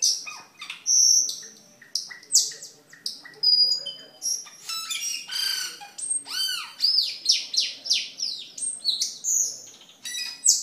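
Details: Energetic song of a caged cucak keling, used to teach other birds and attract wild ones: a dense stream of chattering chirps, sweeping up-and-down whistles and clicking notes, nearly unbroken for ten seconds.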